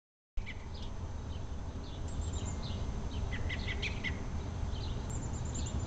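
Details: Robin in a tree gives short, high chirps in scattered bursts, some quick double notes, over a steady low wind or traffic rumble; suspected mating call, as a female arrived right after.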